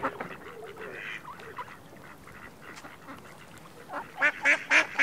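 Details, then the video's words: Ducks with ducklings: scattered soft calls and thin peeps at first, then a closing string of five loud, harsh quacks repeated in quick succession. "Noise of ducks, ducklings"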